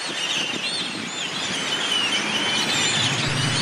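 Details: Wintering yellow-headed blackbirds pouring into a town plaza roost in Delicias, Chihuahua, Mexico, at evening, 27 January 2017; thick overlapping chatter of high chips and thin whistles, with a low rumble of traffic beneath.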